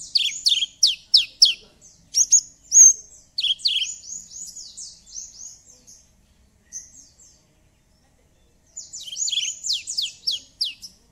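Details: Javan bush lark in full song, used as a lure recording to prompt a silent lark to sing: rapid high buzzy trills and sweeping whistled notes in dense bursts, a pause near seven seconds, then another fast burst; no other sounds.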